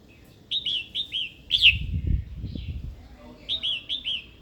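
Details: Calls of a female red-whiskered bulbul, used to stir a wild-caught male to sing and fight. Quick pairs of clear, down-slurred chirps repeat in bursts, with soft thumps and knocking partway through.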